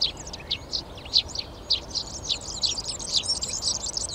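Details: Garden in Přerov, Czech Republic, 19 March, where Eurasian tree sparrows are claiming three nest boxes: a dense run of high, clipped chirps growing busier toward the end, other garden birds likely mixed in.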